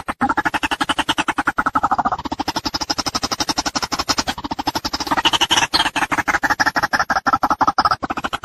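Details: A White-breasted waterhen gives a fast, harsh, croaking stream of pulses, about a dozen a second, with nasal overtones rising and falling throughout, in a steady recording used as a lure sound for trapping.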